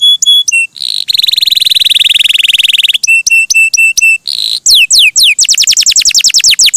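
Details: Melodious gacor canary song, loud and varied: clipped whistles, a long dense buzzing roll, a row of repeated ringing notes, then a fast series of downward-sweeping whistles repeated several times a second.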